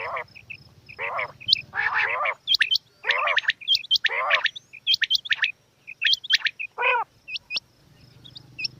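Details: Female quail producing buzzy, nasal harmonic calls interleaved with bright hooked whistles and clipped chirps, densely packed in the first half, sparser later, over a low mechanical hum.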